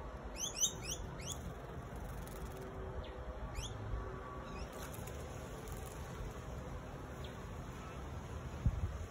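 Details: Singing honeyeater giving a quick burst of short, sharply sweeping high notes in the first second and a half, then a few faint scattered notes over a steady low rumble.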